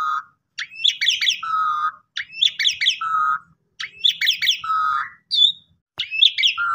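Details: Asian pied starling lure song: regular phrases of sharp upslurred chirps followed by a low level whistle, repeated four times, with one brief sharp click near the end.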